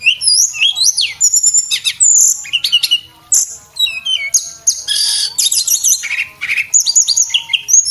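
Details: Vigorous song of a male Javan whistling thrush, used for tutoring cage birds: an almost unbroken rush of high, varied whistles, downslurred and upswept notes and rasping bursts, pausing briefly once near the middle.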